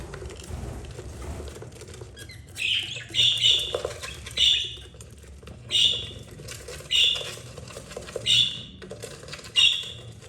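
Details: Budgerigar mother with her four chicks, two yellow and two green, the eldest 32 days old; sharp high chirps repeated about every second, with soft rustling and flapping in the background.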